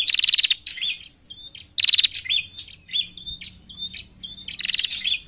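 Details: Female bar-winged prinia calling, used to lure birds: bursts of rapid, buzzy, high-pitched notes alternating with short whistled phrases and twangy notes, several bouts in quick succession.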